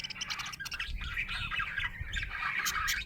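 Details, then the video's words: Happy budgie giving a dense burst of rapid chattering chirps and scratchy squawks, overlapping notes packed tightly with almost no pauses, over a soft low rumble. "Happy budgie chirping sound"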